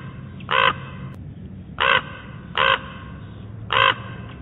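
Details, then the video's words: Common raven at Big Bear Lake giving four harsh, hoarse croaks, each short and rich in overtones, spaced about one second apart over a steady low rumble of background noise. "Call of the Raven"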